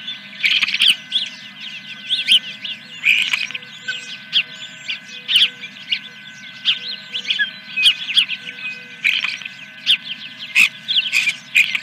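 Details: Osprey at the Dunrovin Ranch nest on 3 May 2021, about 8 in the morning, in the scene labelled Fish #1: dense, overlapping high chirps and squeals run throughout, with a steady electrical hum underneath.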